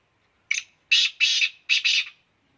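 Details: Black francolin from Khushab: loud, harsh, raspy call in five bursts, a short opening note followed by two paired, longer grating phrases, over a silent background.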